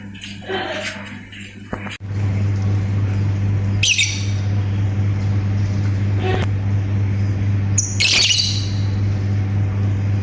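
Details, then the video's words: Lovebird calling with ngetik and ngekek sounds: four separate harsh, rasping squawk bursts spread across ten seconds, against a loud continuous low hum. "BURUNG 🐦LOVBIRD SUARA NGETIK TAMBAH NGEKEK"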